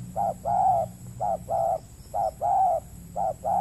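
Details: Spotted dove, a wild bird in peat-soil country of Riau Islands, Indonesia, responding to a trapping lure; repeated two-part coos, a short note then a drawn-out mellow one, about four pairs in quick succession over a low hum.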